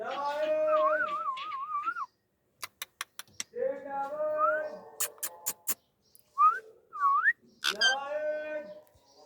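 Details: Indian ringneck parakeet kept as a pet, heard in a talking session: long warbling wavering whistles, a few voiced speech-like phrases, quick upward whistled slurs and a run of dry clicks.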